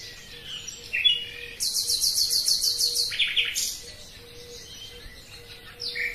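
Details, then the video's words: A common nightingale sings a short chirp, then a rapid run of about a dozen evenly spaced, hard, high repeated notes and a buzzy follow-up, with a faint steady low hum throughout. "Пение соловья"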